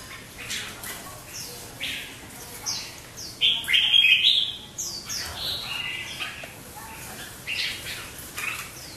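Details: Red-whiskered bulbuls in competitive singing: rapid, lively bursts of chirpy, whistled notes that rise and fall, overlapping densely with a louder cluster near the middle, over a steady background hiss.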